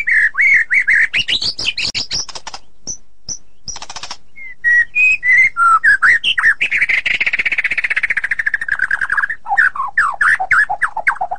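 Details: White-rumped shama singing in a loud, rolling style: whistled notes sliding between low and high, a long buzzy trill in the middle, then quick repeated downslurred notes.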